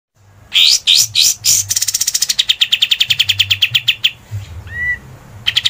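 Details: Scarlet-headed flowerpecker, clear song used as a training master: a few sharp, high sweeping notes, then a fast, dry trill of ticking chips, ending with a thin whistle and a brief renewed burst.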